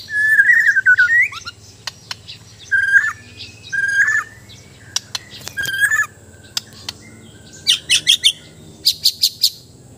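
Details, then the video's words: White-rumped shama, Sabah, Borneo, in training, singing loud warbled whistled phrases separated by pauses and clicks, ending in rapid high chattering bursts; low hum throughout. "Indahnya suara dan gaya burung murai batu"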